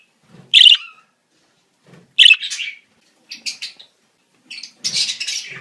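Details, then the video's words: Budgerigars calling in the breeding season: a loud high chirp, then a chirp sliding into chatter, a pair of quick notes and a burst of scratchy, warbling twitter. "صوت تزاوج طيور البادجي"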